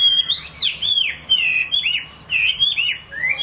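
A Chinese hwamei sings a rich, unbroken run of loud, clear whistles, each phrase sliding up and down in quick succession, over a faint low hum.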